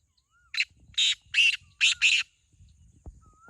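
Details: Calling contest between two black francolins: five loud, scratchy notes in quick succession, the last two closely paired, with a faint thin whistle from another bird just before and after.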